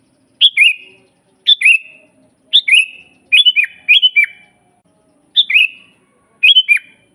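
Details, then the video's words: Sooty-headed bulbul master song: a steady run of short fluty phrases about once a second, a few doubled into rapid bursts, each falling from a bright start to a lower slur. "suara burung kutilang GACOR asli paling banyak dicari buat masteran"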